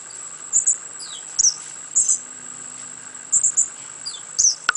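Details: A young spotted sandpiper in a rehab flight cage gives very high, thin peeps in quick pairs, repeated about every second, over a steady high insect-like whine.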